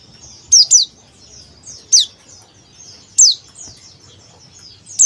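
A male Oriental white-eye gives thin, very high, down-slurred notes, single or paired, about every second, over a faint high twittering.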